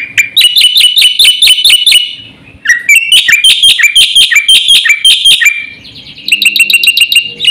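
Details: Black-winged starling singing continuously in a full, varied performance meant to rouse and teach other birds: rapid strings of piercing, harsh chattering notes in three long bursts with brief quiet gaps.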